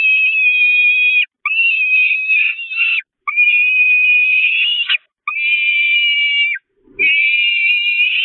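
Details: Peregrine falcon nestlings on the Catharinakerk, 5 May 2021, starving and attacking their mother. Five long, harsh, high-pitched wailing screams, each lasting over a second, with short breaks and a low knock near the end.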